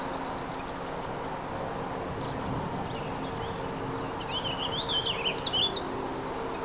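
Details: Warbling Vireo singing at Second Marsh, Oshawa: a quick, rambling warble of high, looping notes near the end, over steady low traffic rumble and hum.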